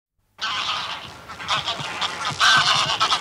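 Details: Small flock of Greylag geese in flight, recorded close up: harsh, nasal honks rich in overtones, a steady run of calls from about half a second, then louder, denser honking near the end with wingbeat rustle.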